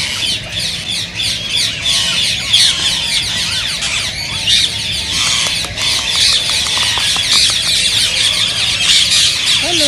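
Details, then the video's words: Green ringneck parakeets calling, said to stimulate singing and mating. A dense, rapid, shrill chatter runs steadily for ten seconds. A short lower call bends down at the very end. "ببغاء الدره تحفيز رهيب رهيب"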